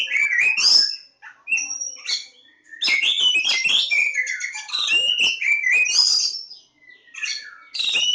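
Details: Kacer Jawa or Oriental magpie-robin, lebakgowah: loud, varied song in phrases separated by short silences, combining ringing whistles, quick chattering notes and downward slides, strongest in the middle stretch.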